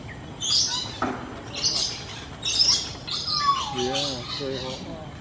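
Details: Common hill myna calling in the wild in Singapore: a long, clear, falling whistle followed by a string of short, stacked, nasal notes, over constant high-pitched background hiss.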